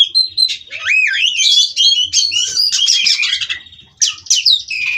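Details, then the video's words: Non-stop rolling song of a captive-bred White-rumped shama from Cirebon: clear rising and falling whistles leading into dense, harsh chattering phrases and quick sweeping notes. "Kacer Ini Ngerol Tanpa Henti"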